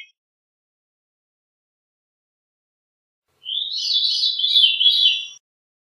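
A Veery gives a single breezy, reedy phrase of about two seconds, rolling through overlapping fluty notes high in pitch; otherwise silence.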